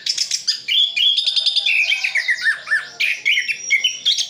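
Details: Orange-headed thrush from Sidoarjo, East Java, delivering isian full song for tutoring a contest bird: trills, buzzy stuttered notes and descending whistles run together densely.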